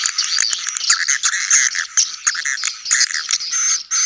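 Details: Dense swiftlet colony calls of the sedot anakan type, meant for new buildings: clicking ticks and buzzy twittering mixed together, rising and falling in short irregular bursts with a thin high whistle.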